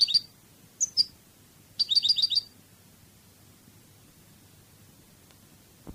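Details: European goldfinch Cadiz-style song from a training CD: a few sharp high notes, then a quick tinkling phrase, followed by several seconds of quiet and a faint click.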